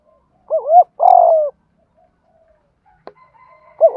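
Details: Spotted dove kept as a decoy to provoke wild doves, cooing in the 'gù thúc' style: a wavering two-part coo, then a drawn-out falling note. A click sounds, then a new phrase starts at the end.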